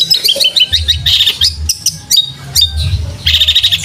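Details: Long-tailed shrike song used as a training recording for cage birds, featuring imitated fighting house sparrow sounds: rapid high chirps and buzzy trills in dense bursts over a steady low hum.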